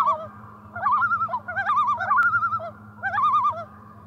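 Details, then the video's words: Several overlapping loon calls on a spring lake, rapid warbling quavers in bursts a second or so long, voices layered and trading off, with one sharp click partway through and a quiet low hum beneath. "Loons on a lake in spring"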